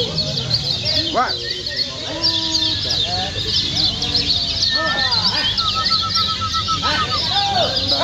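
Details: Lemon-bellied white-eye (kecial kuning) of Lombok, Indonesia, in the contest-style gonsrengan song used as a lure to make birds open up and sing; dense high twittering chatter with lower honking, fowl-like calls and short level whistles.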